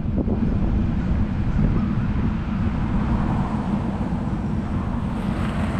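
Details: Only a constant low roar of traffic-like outdoor noise is heard throughout, with no animal calls.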